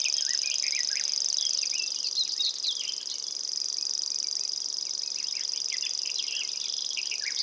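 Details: Common grasshopper warbler reeling in Estonia: a high, unbroken, insect-like trill running throughout, with many short chirps and twitters from other birds around it.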